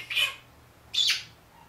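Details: A one-year-old pet Senegal parrot, known to talk and say good morning, produces two short, harsh, hissy squawks about a second apart against near silence.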